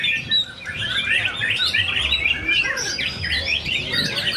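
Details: White-rumped shama, known locally as murai batu, competing in a bird singing contest; a dense, fast run of bright whistles and chirps, rising and falling, with other songbirds overlapping throughout.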